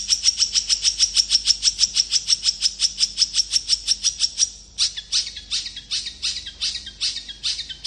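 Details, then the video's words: Long-tailed shrike song used to draw replies from other shrikes: a rapid, steady train of piercing, high, tick-like notes for about four seconds, then a harsher, scratchier burst of quick repeated notes. "Cendet gacor speed rapat ampuh untuk memancing cendet lain langsung nyaut"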